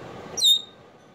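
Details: Male African grey parrot kept as a household pet, calling for his friend with one brief high whistle that starts sharply and slides slightly downward, in a quiet room.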